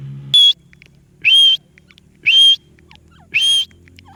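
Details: Parrot giving four loud, clear whistled calls, each a short high steady note with a buzzy edge, spaced about one second apart over a quiet low hum.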